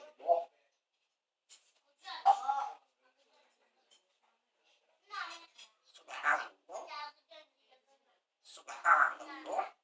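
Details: A talking parrot, reportedly saying "Allah akbar", gives scattered short imitated words with pauses between them, indoors and otherwise quiet.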